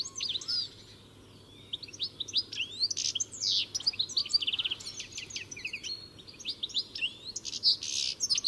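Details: European goldfinch giving its varied song: quick high chirps, sweeping slurred notes and buzzy bursts in bouts separated by short pauses, with a steady faint low hum.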